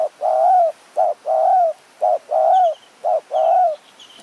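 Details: Spotted dove luring with a decoy in high forest near Kanchanaburi, Thailand. It gives a steady run of rich mid-pitched coos, each short note followed by a longer slurred one, repeated three times. High thin chirps of another bird sound faintly behind.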